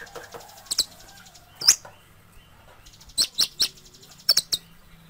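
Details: Sunbird song meant for tutoring cage birds: high, thin, sharp notes in small clusters of two or three, separated by short pauses, over a low steady background hum.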